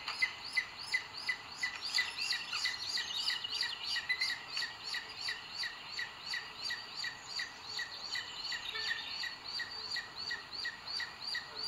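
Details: Booted eagle nest in Sierra de Guadarrama, Spain, filmed by webcam on 2 June 2022 as the male brings food to the female; rapid, high, slightly downslurred notes repeated about three per second, with light background hiss.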